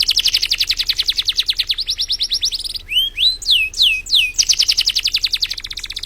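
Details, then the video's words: East Java contest champion canary, Indonesia, opening with a fast pulsing trill, shifting to a buzzier roll, then five slow rising-falling whistled slurs before resuming a rapid, even trill. "Kenari Juara kontes burung Jawa Timur"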